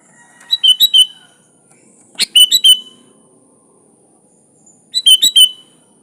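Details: Sooty-headed bulbul delivering lively fill-laden song: three brief phrases of quick, bubbly whistled notes, the second opening with a sharp click-like note, in quiet surroundings.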